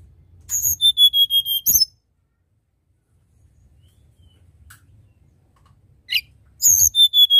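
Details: Tledekan gunung giving its nyuling song twice, separated by a few seconds of quiet: each phrase is a high buzzy note followed by five or six quick, level, pure whistles; a soft chip falls between.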